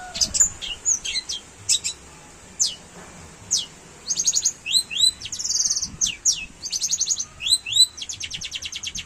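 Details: Long-tailed shrike singing in a canary-imitating style: rapid high chirps, thin whistled slurs and short buzzy trills in quick varied bursts, ending in a fast run of repeated sharp notes.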